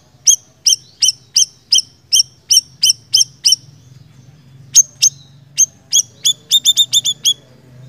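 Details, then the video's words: Small minivet (siri-siri) giving an even series of about nine high, sharp chirps at a steady pace, a brief pause, then scattered notes speeding into a rapid run, with a low hum throughout. "Suara Burung Siri Siri Gacor"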